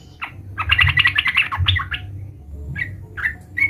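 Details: Sooty-headed bulbul, a lively calling bird, calling to a rival: a burst of fast chattering notes around the mid-range, then a few separate short slurred calls after a pause, with low background rumble.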